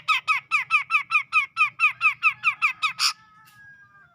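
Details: A Sumatran grey-cheeked bulbul, from tropical forest around Medan, sings a steady series of about fourteen harsh, downslurred notes evenly spaced at roughly four per second. The series ends in a thin, drawn-out whistle that fades away.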